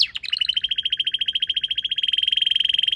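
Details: Red canary in song beside purple azaleas in a garden. A rapid, even trill of many short notes at a steady high pitch rolls on without a break.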